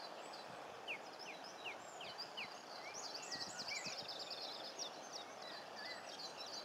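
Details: Common linnets (Linaria cannabina) at the coast in Cornwall give a few thin, quick upslurred chirps, then a faint run of dry twittering notes, half-buried in a steady wash of wind or surf.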